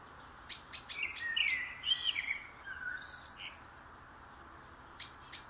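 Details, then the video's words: Common blackbird singing: quick high clicks, scratchy warbled notes and brief fluted whistles in a busy phrase, then a pause and more sharp high clicks, over steady background hiss. "KARATAVUK SESİ (KARABAKAL)- COMMON BLACKBİRD - TURDUS MERULA"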